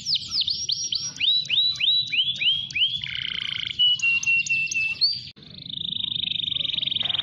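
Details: Canary delivering long-duration song to encourage other canaries to sing: a sequence of quick downslurred whistles, then drawn-out steady whistled tones with small flourishes, a brief break, and a sustained high rolling trill.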